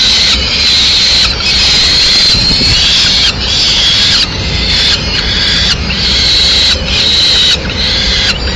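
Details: Female peregrine falcon bringing a pigeon to the nest in Madrid, 6 May 2016; loud, harsh, drawn-out cries repeated in a long series with short gaps, steady background hum.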